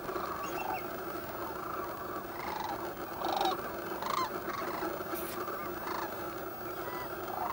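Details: Sandhill cranes waking on the Platte River near Gibbon, Nebraska, Central Flyway, in thick fog, recorded with a Canon 7D: a dense, continuous chorus of overlapping rolling calls with louder bursts, with no single voice standing out.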